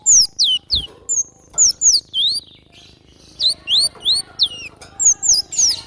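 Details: Wild cinereous tit singing actively, giving bursts of sharp, high whistled notes that sweep steeply downward, grouped in quick clusters of two to four with short pauses between.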